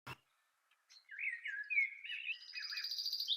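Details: Male Common Chaffinch (Fringilla coelebs), which sings from mid-February while the female builds the nest alone, gives its three-part song: a bright, rattling phrase of quick notes tumbling downward, ending in a higher ringing flourish, after a short click.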